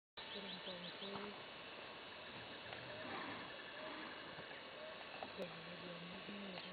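A White-tipped Dove gives low, hollow coos, a short series at the start and another near the end, over a busy background of higher bird chatter.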